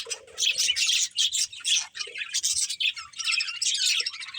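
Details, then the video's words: Group of playing budgerigars giving choppy bursts of high, squeaky chirps and warbled chatter, separated by short gaps, with an occasional lower nasal note. "Cute Budgies Chirping Sounds"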